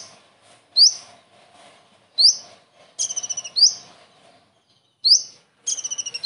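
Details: Common iora delivering kingfisher imitations in its song, meant to tutor other birds. Loud rising whistles are spaced irregularly, and two fast stammering rattles lead into further whistles.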